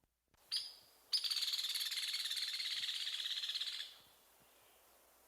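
Hairy Woodpecker: one sharp, high peek, then a loud rapid rattle of even notes lasting almost three seconds, with no other sounds.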